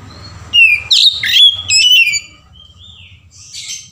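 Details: Oriental magpie-robin song in 'ngeplong' variation, a lure to trigger singing: strong whistles mixed with harsher chattering notes for about two seconds, then fainter soft whistles trailing off over a low background hum.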